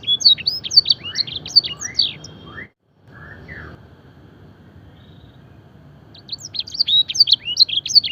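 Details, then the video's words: Canary song training with blackthroat and edel sanger phrases: a burst of quick high chirps and whistles, a sudden break with a few faint rising notes and near silence, then the rapid chirping resumes. "masteran suara burung kenari full isian mewah blackthroat dan sanger gacor"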